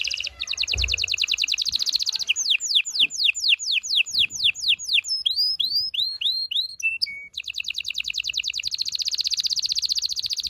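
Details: Loud canary song intended to excite males and females before mating: rapid high rattling trills, a series of swooping repeated notes, curling whistles, then another long fast trill.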